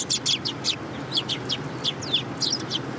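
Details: Tree sparrows in a city, recorded 30 November 2015, coming to be fed: a rapid series of sharp, high chirps, several birds overlapping, steady low traffic hum beneath.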